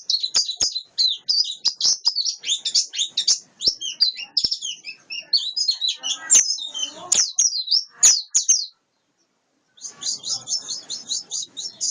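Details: Long, energetic twittering song of a wild-caught white-eye, a jumble of high chirps and trills with frequent sharp clicks, a brief pause, then more rapid notes.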